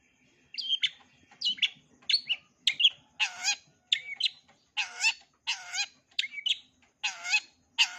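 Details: Long-tailed shrike giving full repertoire song for training young birds. Sharp, bending whistles alternate with loud, harsh, rasping notes full of harmonics, repeated roughly every half second in a quiet setting.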